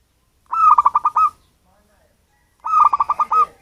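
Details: Local zebra dove from natural habitat, not captive-bred, its voice serving as a lure for birds: two matching phrases of six or seven rapid staccato coos about two seconds apart.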